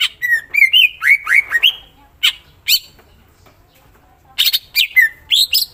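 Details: Greater green leafbird with its full song repertoire, alternating rolling whistled slurs and sharp, scratchy high notes in fast succession, then a brief pause before another dense burst.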